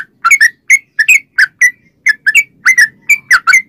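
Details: Sooty-headed bulbul singing as a lure for other bulbuls: bright, slurred whistled notes, some paired, delivered in an irregular quick rhythm with a faint low hum behind.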